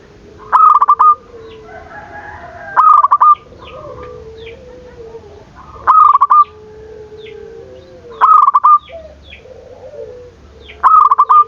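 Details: Zebra dove giving its stuttered cooing song to stir rivals into answering: short punchy bursts of clipped notes roughly every two and a half seconds, with quieter gliding mid-pitched coos filling the pauses.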